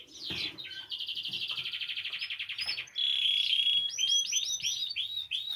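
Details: Singing canary, played to encourage canaries to sing: a rolling trill, then a sustained pure whistled note, then a series of rapid rising-falling slurred notes, loud and clear.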